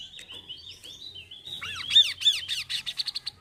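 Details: Kaso-kaso bird song, played to prompt caged birds to start singing: a run of thin, high whistled notes, then a fast series of loud arched, slurred notes that ends in quick, evenly spaced chips.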